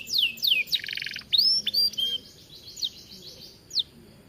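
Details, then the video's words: Domestic canary (kenari) in an aviary, its song meant as a tutor for other birds: sharp falling whistles, a brief buzzy burst, thin high sustained notes, then sparse swooping chirps. "Kenari gacor cocok untuk masteran"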